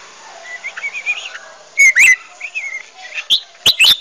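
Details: Red-whiskered bulbuls, many singing on a hill, recorded for use as a lure to trigger singing: bright whistled warbling phrases with slurred rising and falling notes, followed by loud sharp high notes.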